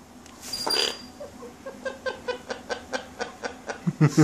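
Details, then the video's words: A pet female Yellow-naped amazon calling for the cat gives a harsh burst, then a quick run of about a dozen short, evenly spaced chuckling notes; a person's voice comes in at the end. "Bird calls cat"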